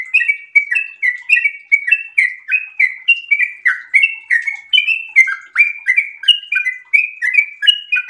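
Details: Yellow-vented bulbul in breeding condition delivering a super-long, fast 'ropel' song of cheerful, gurgling chirps, each note dropping or rising in pitch, repeated evenly several times a second throughout.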